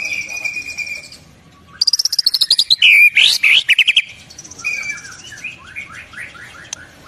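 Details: White-rumped shama with full-repertoire song (isian lengkap) opens with a steady high whistle, then loud rapid clipped notes sweeping upward, ending in a series of descending slurred whistles.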